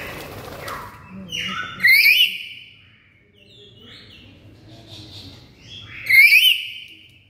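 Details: Loud calls of a Black-capped lory: two harsh, ringing, rich-toned notes about four seconds apart, wavering upward then dropping, with fainter chattering and quiet rumbling between them.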